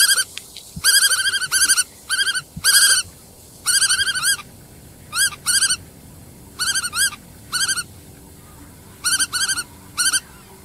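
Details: Black-tailed godwit giving bursts of nasal, rapidly wavering notes, each burst a quick chattering series of three to five notes, repeated irregularly through about ten seconds with short quiet gaps between them.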